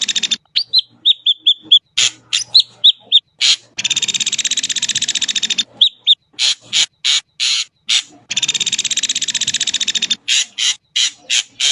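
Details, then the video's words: An Ashy drongo sings a series of short whistled, slightly dropping notes and harsh chacks, then launches into sustained buzzing rattles of rapid pulses, broken by more clipped harsh notes. "suara jernih burung srigunting abu abu"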